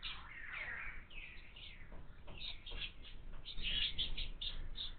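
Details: Begging calls of house sparrow chicks in a window-mounted feeder, a busy chatter of quick high chirps, around four per second, growing louder and denser toward the end.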